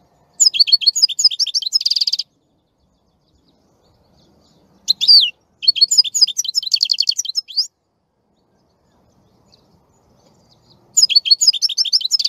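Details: European goldfinch song in three bursts of two to three seconds, separated by silence. Each burst is a dense, tinkling twitter of high notes that ends in a buzzy trill.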